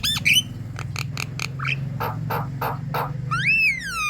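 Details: Javan myna in moult, chattering energetically, used as a lure to prompt birds to sing: a harsh squawk, a string of short rasping bursts, then a long rising-and-falling whistle over a low steady hum.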